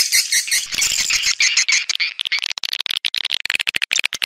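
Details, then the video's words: Shrill, overlapping twitters from swiftlets, a lure recording played to attract them into swiftlet houses, start as a dense chatter and break into rapid, stuttering high clicks toward the end. "Âm Thanh Nhà Yến"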